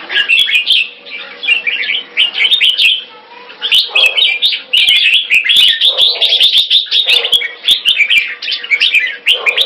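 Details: Red-whiskered bulbul, a captive pet in Singapore, chattering keke on command: long runs of quick, twittering notes broken by short pauses, with frequent crisp clicks and a soft low hum.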